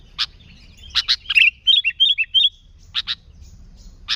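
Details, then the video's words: Lively sooty-headed bulbul for luring others of its kind: scattered harsh double notes broken by a run of four short whistled, slurred phrases in the middle, then more sharp chips. "Suara Burung Kutilang Gacor ASLI Tanpa isian, Ampuh untuk Pikat Kutilang"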